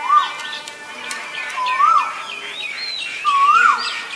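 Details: Asian koel giving three rising-and-falling whistled notes, roughly one and a half seconds apart, with softer twittering from other birds in the background.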